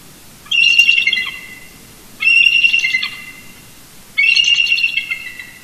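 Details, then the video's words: Eagle pair roosting near their nest at Big Bear Lake, California, duetting early on a Sunday morning in November 2018, caught by a nest camera: three bursts of high, stuttering, squealing chortles, each about a second and a half, spaced two seconds apart. "Shadow & Mrs BB Duet Vocals Early Morning"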